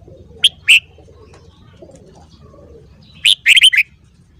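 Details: Red-whiskered bulbul singing in the morning for song training. Two sharp single notes open, then a pause, then a fast tumbling phrase of four or five warbled whistles. Soft low noise behind.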